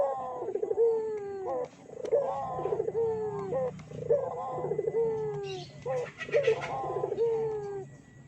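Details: Barbary dove lure to trigger other doves: rhythmic phrases of rolling coos, each ending in a sharp upward accent and a sliding falling purr, repeated about every two seconds, with a brief hiss near the end.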